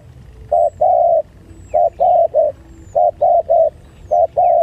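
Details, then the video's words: Spotted doves fighting, a coo series of short note then long drawn note repeated about every 1.2 seconds, low and steady, with faint high bird chirps above. "Pertarungan Tekukur"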